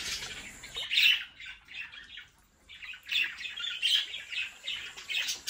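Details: Budgerigars from a home breeding colony give harsh squawks and chattering chirps. A loud burst comes near one second, a lull follows, then rapid overlapping calls resume through the end.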